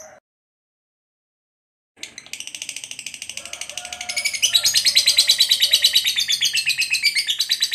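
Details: Lovebird chatter, recorded as daily training material for pet birds: after a brief silence, a fast rattling trill starts softly and swells louder, staying high and buzzy and shifting slightly in pitch.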